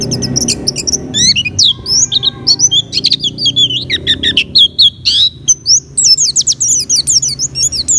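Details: Oriental white-eye in breeding condition, used to lure other white-eyes: a dense run of high, rapid chirps and twittering whistled phrases with sharp frequency sweeps, almost continuous, with faint low background rumble.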